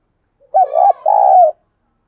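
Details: A spotted dove kept as a decoy delivers a prompting call of two deep, resonant coos, a bubbling first note and a longer drawn-out second note, in a quiet setting.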